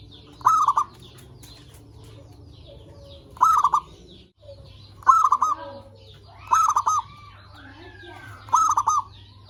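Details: Zebra dove used as a lure to stimulate other zebra doves, giving a rolling, trilled coo repeated about every two to three seconds over a steady low hum.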